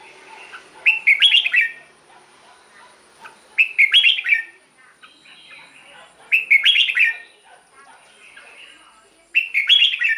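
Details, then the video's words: Red-whiskered bulbul song played to excite caged birds: four loud warbled phrases of quick slurred whistles, repeated roughly every two and a half to three seconds, with softer chattering in the gaps. "เสียงนกกรงหัวจุก สำหรับต่อ หรือ เปิดให้นกคึก เสียงเพราะๆ"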